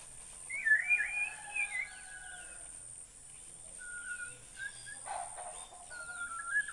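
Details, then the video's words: Bornean white-rumped shama delivering a fast twittering trill of whistles, then quieter level whistled notes after a gap, with a brief rough noise burst midway. "Burung murai Borneo"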